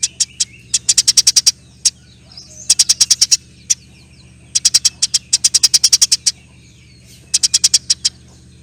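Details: Energetic house sparrow in long 'nyerecet' chatter, with rapid bursts of bright, high chirps about four per second. The bursts come in groups of five to eight, with short pauses between them. A steady low hum plays in the background.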